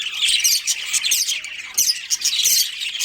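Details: Continuous loud twittering from colony budgies with a breeding pair: overlapping shrill chirps and scratchy warbles, swelling in brief louder bursts.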